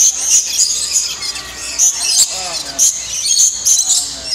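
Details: Lorikeets feeding on nectar in an indoor aviary in Niagara Falls, Canada: piercing high-pitched notes repeated several times a second, overlapping from several birds, with faint human chatter.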